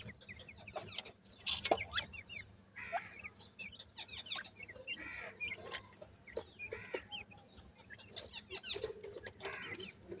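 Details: Grey francolin chicks at feeding time: a dense chatter of thin, high, overlapping peeps throughout, mixed with scratchy rustles and a loud noise burst near the start.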